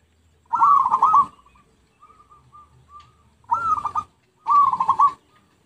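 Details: Lure recording of zebra dove cooing: three loud trilled coo phrases, each a quick stuttering roll, with softer faint cooing notes in the gap between the first and second.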